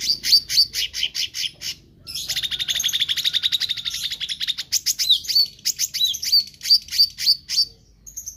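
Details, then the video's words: Meranti bird singing energetically: it opens with separate high chirps, then slips into a long, fast, slightly buzzy chatter, and ends with clear, hooked whistles repeated several times. "Burung Meranti Gacor"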